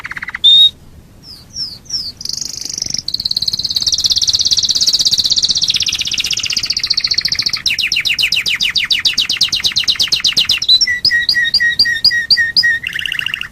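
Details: Domestic canary song used as a lure to prompt other canaries to sing: a long sustained high rolling trill, then fast rattling pulses and repeated paired high-low chirps.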